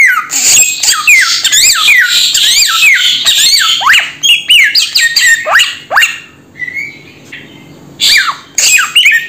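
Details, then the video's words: Samyong bird in a rapid, noisy run of harsh squawks and downward-swooping whistles, then sparser notes, a short soft warble, and a final burst of sharp calls. "Suara Burung SAMYONG"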